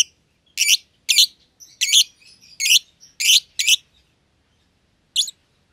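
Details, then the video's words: Two young lovebirds of contrasting colours, albino and euwing green opaline, moved to a pair cage after courting; a run of six sharp buzzy chirps about every half second, then a pause and one final chirp. "Lovebird Chirping Sounds"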